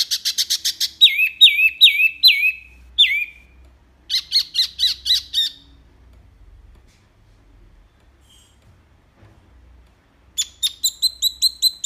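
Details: Loud, clear wambi mini song used to tutor other cage birds: fast dry chattering trills open the run, then drooping whistled slurs, another staccato burst, a long quiet gap and a final rapid run of sharp notes.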